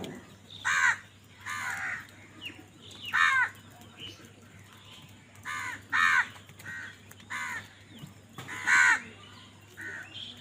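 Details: Crows calling loudly while fighting for food, a series of harsh, hoarse caws repeated roughly every one to two seconds, with fainter chirping birds and a steady low hum behind.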